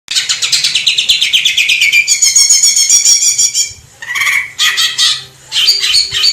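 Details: Greater green leafbird recorded in the wild in Indonesia, a clear masteran song: dense rapid chattering notes descending in pitch, then a bright ringing trill, a pause, and renewed high twittering bursts.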